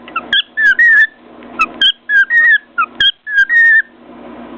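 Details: Pet cockatiel atop its cage repeats a lively whistled phrase: short chirps then a drawn-out warbling whistle, several times over, interrupted by crisp knocks as it bangs its beak on a mirror.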